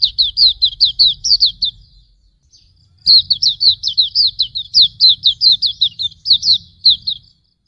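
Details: Hume's white-eye song used as a tutor for training birds: two long, fast strings of high, sliding chirps separated by a short pause, with a low background hum throughout.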